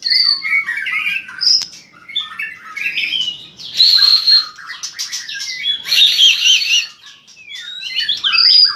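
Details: White-rumped shama in strong competitive song, tail flicking hard; high whistled phrases, trills and chattering notes in varied bursts separated by short gaps.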